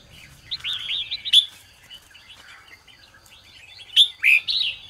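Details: Red-whiskered bulbul singing in the morning in the ché style, used to stimulate other birds: bright, rich warbled phrases of quick rising and falling notes, then a pause and a loud burst of clear whistled notes.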